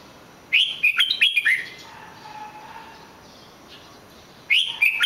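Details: Red-whiskered bulbul singing: two bursts of bright, warbled whistled phrases with quick rising and falling notes, separated by a quiet pause with a faint low hum.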